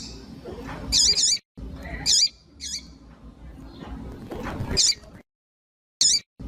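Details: A female double-collared seedeater gives shrill, doubled chirps and single high notes, spaced about a second apart, to warm up a cold male. Low rumbling noise runs underneath.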